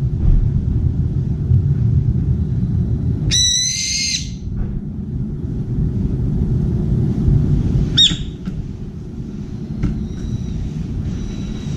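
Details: Brown-eared bulbul on the outer bar of a window feeder, calling to find a companion: a loud, harsh, drawn-out screeching "piiiik" with rich overtones, then a shorter sharp call later, over a steady low rumble.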